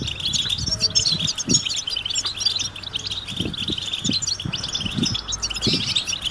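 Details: Many European goldfinches twittering together in mating and readiness calls intended to prompt males to sing; bright overlapping chips and short trills fill the clip, with a few dull low thumps in the background.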